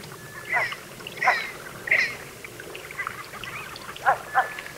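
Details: Red-breasted merganser giving a series of short, harmonic, slightly rasping calls, about six in five seconds at uneven spacing, with continuous water noise in the background.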